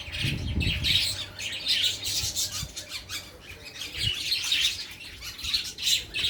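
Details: Many birds twittering at a feeding, giving a steady, busy stream of high, sharp chirps in uneven bursts, with a low thudding noise early on.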